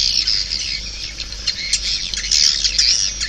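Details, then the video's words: Swiftlets calling, a dense, continuous high chattering of squeaky twitters and short buzzy trills with no pauses, overlapping voices forming a steady shrill chorus. "Suara Walet 5"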